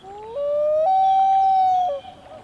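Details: Common loon on water in Maine, recorded handheld from a kayak, uttering a smooth, haunting wail that rises in steps and sustains for about a second and a half before dropping away.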